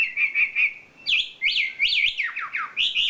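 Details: Champion wambi bird song: a run of high, even warbled notes, then quick looping whistled phrases that swoop up and down, delivered in a rapid, continuous stream.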